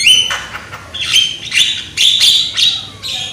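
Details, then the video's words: Loud young Javan myna, recorded as lure song to get birds singing: a few emphatic phrases, each a clear whistle fused with a rough burst, about one phrase every half second. "PANCINGAN BURUNG JALAK KEBO AGAR GACOR !!! JALAK KEBO MUDA SUARA KERAS !!"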